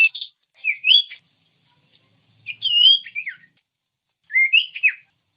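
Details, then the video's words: Common iora song for provoking reluctant ioras: three separated warbled phrases of rising and falling whistles, each roughly a second long, with brief silences between. "Masteran Burung Cipow/Sirtu||Bikin Sirtu Emosi"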